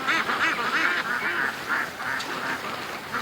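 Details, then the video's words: Penned ducks are released one morning after being kept in an extra hour, then hurry toward the lake. Busy chorus of nasal, buzzy quacks, several birds calling over each other in quick bursts. "Ducks At The Creek Morning Rush"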